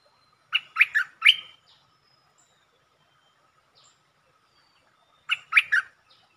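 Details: Streak-eared bulbul song, recorded 13 February 2023, performed in a style with long and doubled phrases. A short phrase of three loud, bubbly notes, a pause of about four seconds, then a similar three-note phrase. The background is otherwise quiet.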